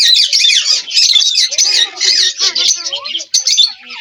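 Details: Several talking Indian ringneck parakeets burst into loud, harsh squawking and grating chatter, nearly unbroken, with a few softer sliding notes underneath.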